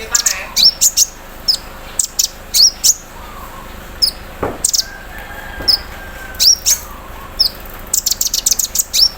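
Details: Morning singing of a caged sunbird placed in the dew: irregular high chirps and ticks, ending in a dense, rapid volley of notes.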